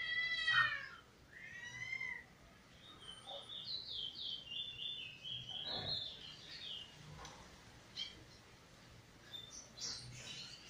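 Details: Eurasian bullfinch recently out of moult, singing for the first time, 1 January 2022: two soft, mellow piping whistles, then a quick run of thin, wavering notes, with faint background room noise.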